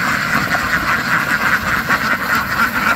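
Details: Ducks quacking in a dense, overlapping chorus, nasal calls pulsing roughly twice a second over a steady mid-pitched wash with no clear gaps.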